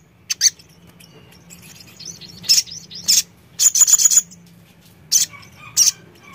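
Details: Sogon singing isolated shrill high notes, then a rapid rattling run of sharp chirps, with spaced single calls afterward and low background hum.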